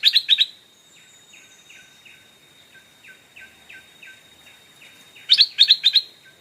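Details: Stripe-throated Bulbul decoy luring wild birds: loud clustered chirps open and close the passage, with a long series of soft, descending whistled notes repeated steadily in between.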